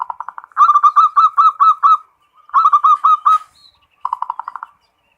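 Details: Full ngerot song from a local zebra dove, played to raise breeding urge: fast soft pulses, then two runs of bright ringing coos about seven notes long, ending in a quicker pulsed trill.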